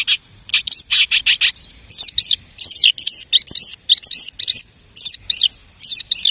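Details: A lark mimicking other birds gives a series of quick, clipped chirps, then varied whistled slurs and trilled phrases in steady succession.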